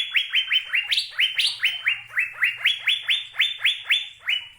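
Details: An Asian fairy-bluebird, locally cucak biru, pours out a continuous string of liquid down-slurred whistles, steady and rhythmic, with two sharper higher notes early on and a faint low hum beneath.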